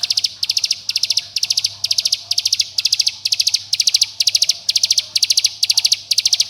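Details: Bar-winged prinia in a close-set rattling 'bren' style, played to prompt young birds to sing: short high bursts of four to five clipped notes, repeated steadily about twice a second without a break.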